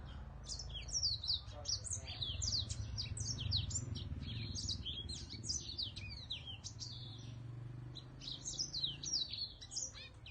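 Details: Caged whitetip from Vietnam delivering a long, unbroken stream of rapid, high twittering notes with sharp slurred whistles, continuing for about ten seconds over a steady low rumbling hum.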